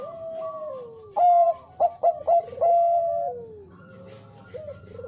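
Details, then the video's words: Bangkok-type zebra dove singing vigorously in a recording used as a lure: a long, falling, wavering coo, then a burst of short stuttered notes and a sustained level coo, with a second dove cooing softly behind it. "SUARA PERKUTUT BANGKOK GACOR AMPUH UNTUK PANCINGAN"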